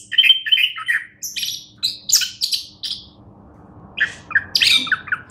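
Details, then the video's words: Orange-headed thrush, described as a champion songbird, delivering quick bursts of whistled and scratchy notes in short separated phrases, a brief pause midway, over a low background hum. "anis kembang juara"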